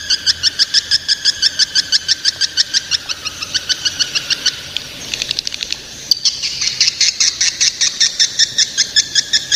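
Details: Young swiftlets produce regular, rapid high-pitched clicks, a brief rattling buzz midway, and then renewed chirpy clicking pulses.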